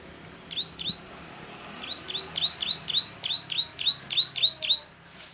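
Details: Plain prinia, called klik-klik locally, in lively song: two sharp high notes, a pause, then an even run of about ten quick, clicking downslurred notes that grow louder, against a soft background hiss.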